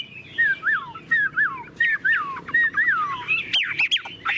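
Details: Chinese hwamei, a tame cage bird singing steadily: clear mellow whistles, each sliding downward in a long slur, repeated in a loose rhythm, then a few sharper higher notes and quick squeaky phrases at the end.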